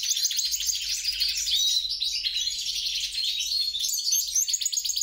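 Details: European goldfinch × grey-crowned goldfinch hybrid sings a lively, rolling twitter of quick chirps and liquid trills, steady and continuous, with a few clear whistled notes.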